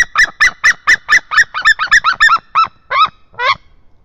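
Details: White-tailed eagle in Estonia, a male chasing away a juvenile eagle at 10:04 AM on 10 March 2022: a rapid run of about sixteen yelping, goose-like notes, roughly four per second, slowing and rising in pitch toward the end.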